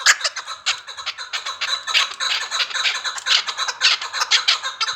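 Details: Chukar partridge from Vanj giving a dense, harsh, overlapping chatter of rapid chuck notes.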